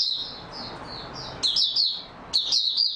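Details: Oriental white-eye, known in Malay as mata puteh, singing in stable form: high, thin twittering phrases with quick warbled bursts at about 1.5 and 2.4 seconds.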